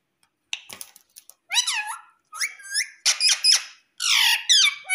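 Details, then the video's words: Indian ringneck parakeet kept as a talking pet, saying "mummy papa": a busy string of loud nasal word-like phrases, squeaks and arched harmonic syllables, tumbling one after another. "Mummy Papa Bolne Wala Parrot || Talking Parrot"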